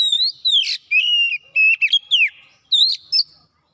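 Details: Kacer, or Oriental magpie-robin, in continuous gacor song unloading its isian: varied whistled phrases with descending glides, buzzy accents and held notes, nearly nonstop for three and a half seconds.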